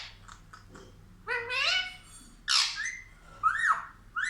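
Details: A pet talking parrot indoors utters a few separate speech-like syllables, with curving, harmonic tones, one sweeping upward and another dropping sharply, spaced about a second apart over a faint low hum.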